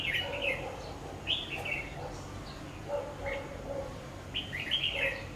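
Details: Red-whiskered bulbul used as a decoy bird at a trap, singing short warbled phrases of a few bright notes every second or so, with background noise.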